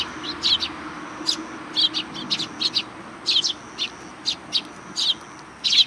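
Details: Sparrows greeting visitors at a Tenmangu shrine in July 2020: short, bright chirps repeated irregularly, about a dozen in six seconds, some in quick pairs, over a faint steady background hum.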